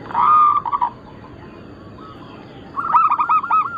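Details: Zebra doves, local and Bangkok-cross birds, singing as a group in a recording used as a lure and tutor song. Two bursts of rapid, ringing cooing notes, near-constant pitch, separated by a quiet gap with faint coos in the background.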